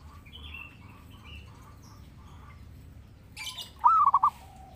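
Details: Actively singing zebra dove whose song serves as a lure and master recording for training birds: a single phrase, with one long opening note then three short rolling coos, comes after a brief rustle amid quiet background chirps.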